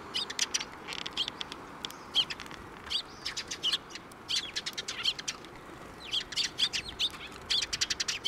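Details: Several sparrows coming to be fed at a Tenmangu shrine on 19 April 2024 keep up busy, overlapping high chirping in quick bursts throughout.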